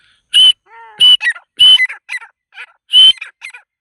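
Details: Grey francolin (teetar), shown playing and fighting, giving loud, harsh, strident notes in quick bursts, four main calls in under four seconds with softer chattering notes between and a brief lower, hollow honk-like sound early on.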